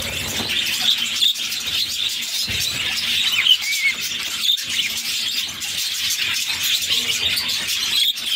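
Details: A captive budgerigar mother feeds her six chicks, which keep up a long, unbroken, rasping high chatter of begging, broken by occasional short squeaks and a small downward-sliding note near three and a half seconds.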